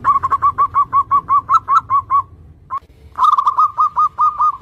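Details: Zebra dove singing actively, used to lure young doves: a steady stream of quick soft cooing notes over low rumble, one isolated note after a pause, then a brighter, louder run of notes.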